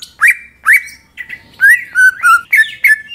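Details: Greater green leafbird in full voice, meant to spur other leafbirds into song: two sweeping whistles, then a string of fast, rolling, buzz-edged warbles repeated several times a second.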